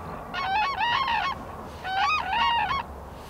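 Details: Endangered black-necked cranes (Grus nigricollis) foraging in Phobjikha Valley, Bhutan, a wintering area, give loud, brassy trumpeting calls: two bursts, each a rolling double note, about a second apart, over a soft background hiss.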